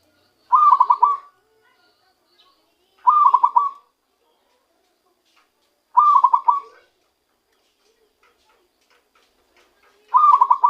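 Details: Zebra dove taken by luring, giving its own song: four short bursts of quick, trilling coo notes, repeated roughly every three seconds with clean silence between.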